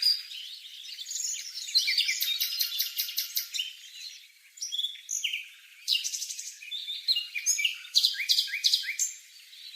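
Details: In Bogor, a streaked spiderhunter gives sharp, high chirping notes in rapid, uneven bursts of a second or two, separated by brief pauses.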